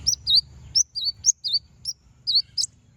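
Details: Konin calling to provoke rivals into song. A lively run of about nine high, whistled, dipping notes, some V-shaped swoops, others short flicks, spaced roughly every quarter to half second. Faint low rumble underneath.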